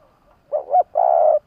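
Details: Single coo phrase from a captive spotted dove used as a decoy for wild doves in Vietnam: a wavering two-part opening note, then one long, level, low coo.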